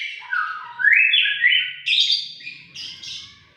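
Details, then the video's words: White-rumped shama in full, insistent song with a sharp edge: a few low whistles, then a loud rising slur into a long bright note, followed by buzzy high bursts that fade out. "burung murai batu gacor ngotot suara pedas"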